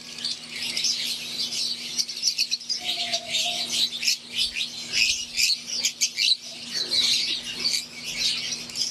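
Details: Aviary lovebirds, wild-type green Fischer's with Euwing birds, chirp in a rapid stream of shrill notes and pulsing bursts. A brief low steady tone sounds in the middle, and a faint hum continues throughout.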